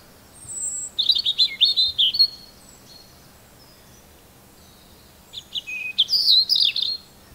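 A robin sings two short phrases of high, thin, warbling notes, sweet and quickly varied, with a few seconds of quiet between them.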